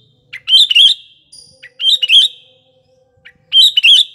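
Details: Lively sooty-headed bulbul song, used as a lure at morning, afternoon and night: three bright, gurgling phrases of rising and falling notes, each about a second long, separated by short quiet gaps, with a faint low hum beneath.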